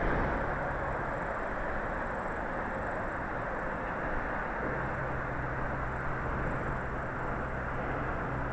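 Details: Steady broadband rumble, like wind or distant engine noise, fills the whole recording, with no animal calls.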